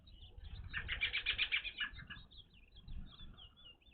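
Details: Evening grosbeaks at a bird feeder, first ever seen at this site, give bright, rapid overlapping chirping calls in a quick burst, with low fluttering wingbeats and rumble underneath.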